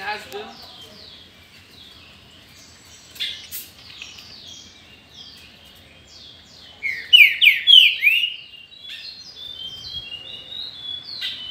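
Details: Kept green-winged saltator, 2019 season. High twittering from other birds runs through the clip, then a strong phrase of four descending whistles rings out, followed by more thin chatter.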